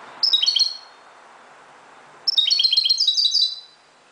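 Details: European goldfinch, Moroccan, singing at dawn: a brief twittered phrase, a pause, then a longer run of quick, high, tinkling notes with a liquid rolling quality.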